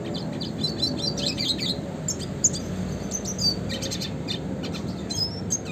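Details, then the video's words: Red siskin classic song used to tutor songbirds: scattered high, clipped chirps and brief buzzy clusters, with a couple of thin, piercing whistles, over a constant low hum. "kicauan suara burung red siskin klasik gacor"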